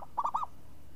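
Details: Brief burst from a crisp-voiced champion zebra dove (perkutut) in ngayun style: three fast, mellow, rolling coos in under half a second, clean against a quiet background.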